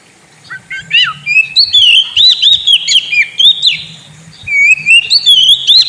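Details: Kacer (Oriental magpie-robin) kept in a cage, singing a lure song for a sulking kacer: a rapid chain of looping whistles and chirps, with a brief dip, then more wavering whistles, over a faint low hum.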